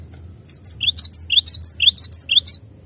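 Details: Clear masteran of a cinereous tit (glatik batu): a quick string of high, sharp two-note chirps, a dozen or so in two seconds, with a thin constant tone behind.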